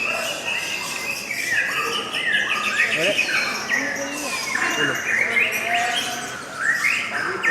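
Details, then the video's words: Lovebird song, said to be melodious and lovely, pours out as a continuous stream of high, squeaky twitters and sliding chirps, with a man's voice faintly behind. "LOVE BIRDS suara yang indah dan Panjang"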